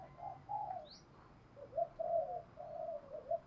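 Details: Decoy spotted dove, 'giọng thổ' voice style: faint, low, warbling coos in a short run of notes against a steady background hiss, with one brief rising whistle early on.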